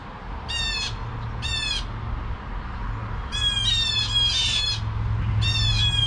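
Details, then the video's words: Pair of blue jays sounding the alarm at 7 AM: repeated harsh, raspy jay calls, two spaced ones, then overlapping calls in a dense run and one more at the end, over a low continuous hum. "Blue Jays Alarm at 7AM"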